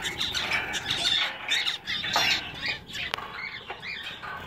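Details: Caged zebra finches in a pet shop give overlapping nasal "meep" calls and short warbled song bits from the males, steady flock chatter with a sharp click partway through.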